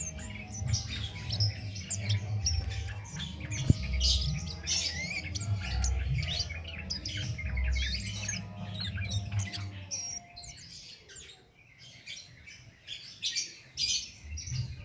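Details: A flowerpecker called cit keres sings continuously without doping, for training other songbirds: busy high squeaky chirping for ten seconds, then a quieter pause before twittering resumes, over a low droning hum.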